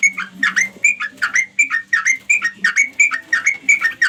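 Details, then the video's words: Sooty-headed bulbul calling to companions: loud, bubbly two- and three-note phrases, each with a dipping then rising inflection, repeated rapidly and fairly evenly about every third of a second, over a faint low steady hum. "suara trucuk panggil kawan"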